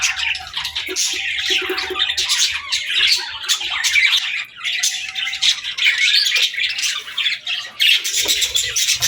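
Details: Young budgies chirping and talking while they play, busy overlapping squeaks and scratchy warbles that rise and fall in loudness, with faint low bumps.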